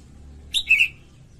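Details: Female red-whiskered bulbul song used to excite males: a single brief phrase, a high chirp sliding into a lower, fuller warbled note.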